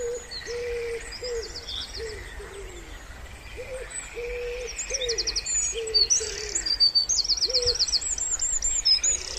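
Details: Spring pondside chorus: a wood pigeon repeats short low hollow coos in a loose rhythm for several seconds, some notes rising at the start, under busy high trilling of other birds.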